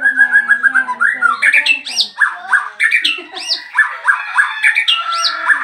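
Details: Newly arrived caged bird chattering nonstop right after its cage cover is opened: loud, rapid run of varied whistled and squawky notes, many rising-then-falling slurs, delivered several per second with no pauses, in a small indoor room.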